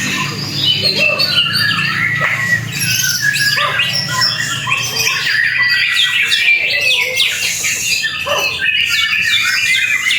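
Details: White-rumped shama (murai batu) freshly moulted, making its first appearance at an Indonesian bird singing contest; rich, varied whistles and harsh squawky phrases pour out continuously, overlapping other birdsong and crowd murmur.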